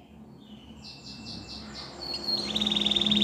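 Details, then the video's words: Spanish Timbrado canary training song, heard faintly at first: a few soft slurred notes, then a brightening, rapidly pulsed trill that grows louder toward the end, over low background noise. "Your Canary Will Not Stop Singing With This Training Song Videos"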